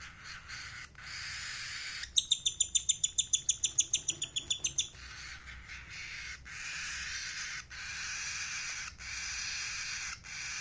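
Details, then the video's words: Ring-necked parakeet chirping: a quick series of about fourteen sharp, ringing harmonic notes in under three seconds, set between stretches of steady loud hiss. "Parrot chirping sound | parrot voice | ringneck parrot"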